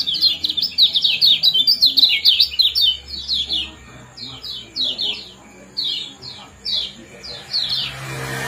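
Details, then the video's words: Kecial kuning, the lemon-bellied white-eye, giving ciak-ciak and jos calls for breeding stimulation: a fast burst of many high chirps, then slower paired notes spaced about every half second. "Kombinasi ciak jos spesial pancingan kecial kuning"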